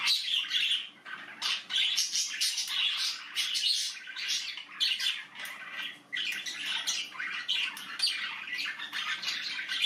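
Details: Budgerigar babies in the nest calling continuously: harsh, scratchy chirps in rapid overlapping runs, rising into noisy bursts roughly every second, over a quiet indoor hum.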